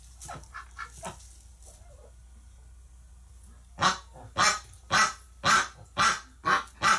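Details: Ducks in a flock said to be freaking out after a flock member died in the hospital, November 30, 2018; after quiet scattered sounds, a run of seven loud harsh honks follows, evenly spaced about every half second.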